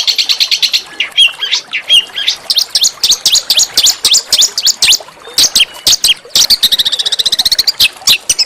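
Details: Small songbird with a rough but sweet master song for provoking white-rumped shama and magpie-robin: fast repeated high chips, short slurred notes, then a rapid buzzy trill before more scattered sharp calls.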